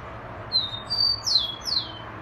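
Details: Rufous-collared sparrow song: two clear high whistles held level, then two quick slurred notes sweeping downward, the whole phrase lasting about a second and a half over a faint low hum.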